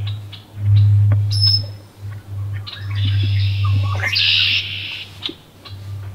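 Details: Wood duck incubating in a nest box, late May. One long, drawn-out hoarse squeal of about two seconds, louder at its end, over a strong low droning hum and faint high whistles.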